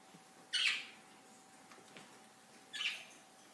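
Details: Budgerigars flying about give two short, harsh, chattering squawks about two seconds apart.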